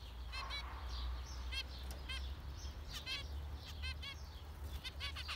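Several zebra finches give short, nasal, toy-trumpet beeps, about a dozen in five seconds, some overlapping, over a steady low hum.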